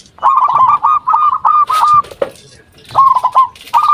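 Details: Local zebra dove singing actively, used as a lure to make other zebra doves answer: bursts of rapid stuttering coos near one pitch, each ending in a short clipped note, with a second burst after a pause.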